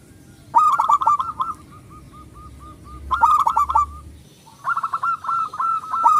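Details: Loud local zebra dove singing as a lure for other doves: rapid trills of short cooing notes, then a slower string of single coos, then another fast burst, with crisp clicks over the phrases.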